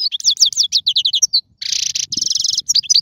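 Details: European goldfinch song for teaching young birds to sing: a rapid string of sweet, evenly repeated chirps, then a harsh buzzy burst and a fast rattling trill ending in bright notes.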